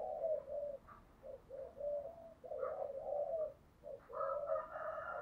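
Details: Spotted dove cooing, used as a decoy call to lure wild doves: low soft repeated coos in phrases, a few brighter higher notes toward the end.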